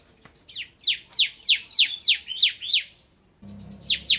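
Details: Crystal bar-winged prinia (ciblek kristal) in lively 'nembak ngebren' song: around nine loud, high, downward-sweeping notes in a steady series, a brief break, then two more sharp chirps.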